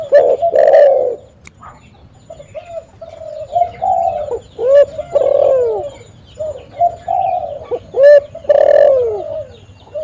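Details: A spotted dove coos in soft, low, rounded notes, some rising and some falling, in short phrases with brief pauses, while faint chirps of other birds sound behind. The recording is used as a calling lure.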